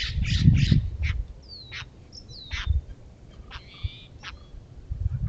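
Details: Steller's jay (Cyanocitta stelleri) at a feeder, protesting the presence of a California scrub jay: three quick, harsh, rasping shrieks, then scattered scratchy notes and thin whistles, over a low rumble of wind or handling noise.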